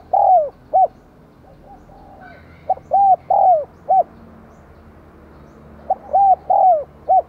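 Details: Caged decoy spotted dove of the 'giọng đồng còi' voice style, cooing and calling to stir wild doves into calling. Three mellow phrases of about four rounded, slightly falling coos, each phrase roughly three seconds apart, over quiet background.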